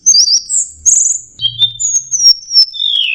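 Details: Orange-headed thrush giving a short teler song: high whistled notes, a long thin whistle, then a slowly falling whistle, with a faint low hum underneath.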